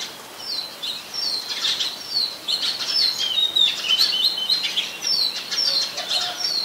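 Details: Recorded 24 December 2020 in Ubon Ratchathani, Thailand, on a Nikon P1000, a very common resident Oriental magpie-robin sings a rapid jumble of thin high chips and bright slurred whistles, steady and busy throughout.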